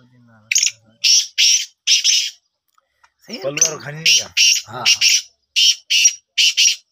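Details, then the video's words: Black francolin kept as a pet, described as a Sindhi tetar, during a training attempt: harsh grating bursts in short runs, with a man speaking over the middle of the calling. "kala tetar ki awaz boli"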